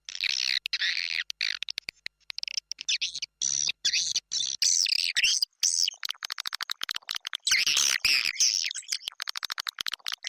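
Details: Swiftlet calling sound used as a lure for nesting houses. Busy, layered chirping and squeaky twitters run almost without pause, broken by brief sharp cut-offs, with bright buzzy trills near the end.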